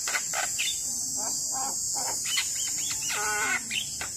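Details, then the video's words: Vigorous Javan myna singing, recorded as a tutor song for young birds reluctant to sing: grating chattered notes mixed with nasal harmonic calls and a buzzy descending rattle, with constant high background hiss. "Jalak Kebo Gacor Masteran Pas Buat Jalak Muda Malas Bunyi"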